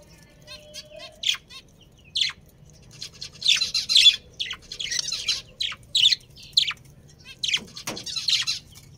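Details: Budgerigars, a breeding pair from a family colony, give scratchy chirps and short warbled squawks in bursts, busiest from three to four seconds and again near the end, with a faint low hum beneath.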